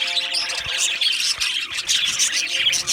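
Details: Several Australian budgies in an aviary colony chirp and squawk together in a lively, dense burst of bright scratchy calls, with faint steady low tones in the background.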